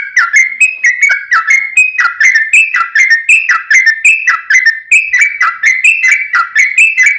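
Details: Lure recording of a yellow-vented bulbul in the extended 'ropel panjang' style: fast, continuous bubbly whistles, each note sliding up, delivered in an even rolling stream for about seven seconds.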